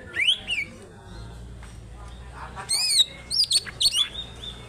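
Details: Greater green leafbird from Alas Purwo, Banyuwangi, a local-origin bird singing hard with tail open. A sharp rising whistle opens, a quiet pause follows, then bright slurred whistles and high chattering notes come in quick bursts.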